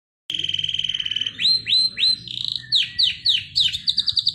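Canary song that opens with a fast, even trill, then breaks into looping swept whistles and ends in rapid high rolls; faint low background hum.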